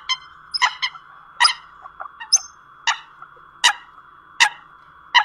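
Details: Eurasian coot calls played as a bird-trapping lure, 2020: sharp, explosive nasal notes at irregular intervals of about one per second over a continuous low droning tone.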